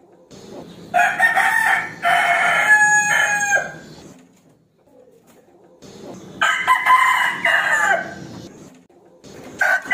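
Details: Rooster crowing to challenge a rival to fight: two long, harsh, strained crows, each about two and a half seconds, separated by a pause, with a brief start of a third at the end.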